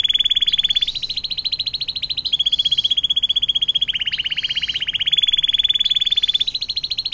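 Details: Atlantic canary with a long 'air mancuran' (water fountain) song, meant to tutor magpie robins, greenbirds and shrikes; continuous loud, very fast pulsed trilling in linked phrases shifting slightly in pitch, without a pause.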